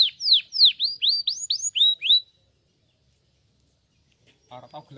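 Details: A canary sings for chirping practice: a burst of about eight falling, whistled sweeps over two seconds, followed by a long quiet gap and a brief low rumble at the very end.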